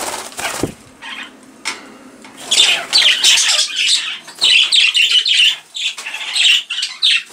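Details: Budgerigars flying around an indoor birdroom aviary in the UK: a burst of flapping wings and scattered chirps, then bouts of high, scratchy warbling chatter from several birds.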